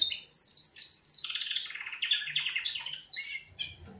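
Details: Wake-up song of canaries, opening with a high sustained whistle that breaks into fast rattling trills and buzzy rolled phrases, then drops into shorter chirps toward the end.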